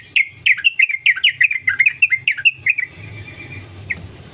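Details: Free-living Yellow-vented Bulbul singing a continuous 'ropel' string of bubbly, rising and falling chirps for almost three seconds, then one lone note against a low hum; meant as a lure to make bulbuls sing.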